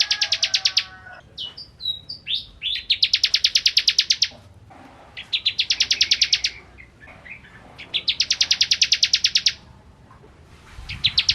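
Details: Bar-winged prinia singing vigorously as a tutor for white-rumped shamas: repeated fast high trills in phrases of a second or more, broken by scattered twittering notes, with a low rumble near the end.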